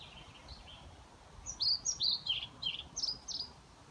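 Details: A European pied flycatcher sings at an elderly care home in Haga, Sundsvall, on 29 May 2018: a quick, high phrase of sweet, slightly wavering notes, with fainter high chirps before it over light hiss.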